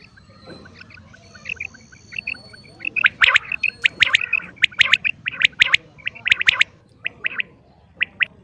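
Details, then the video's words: A calling female common quail starts softly, then gives louder gravelly double and triple notes that come fast in the middle and thin out toward the end. "Batair Ki Awaz | Common quail Calling| Female Quail sounds | Maadi Batair Ki Awaz | Quail Calling"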